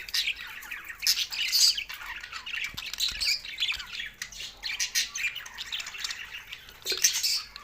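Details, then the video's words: Budgerigars singing with frequent harsh squawks mixed into a fast, high warbling chatter of chirps and buzzy notes, with a few faint low knocks. "Budgies Sounds for Lonely Happy singing"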